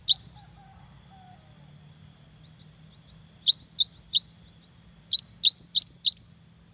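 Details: Cinereous tit, a lively singer used to provoke a rival or young bird into singing: short bursts of high, sharp, down-slurred notes, several quick repeated phrases at a time, with quiet gaps and a faint low hum underneath.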